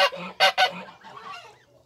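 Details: Adult barnacle geese with goslings give three loud, nasal honks in close succession, the last two almost back to back, trailing off into softer murmuring calls.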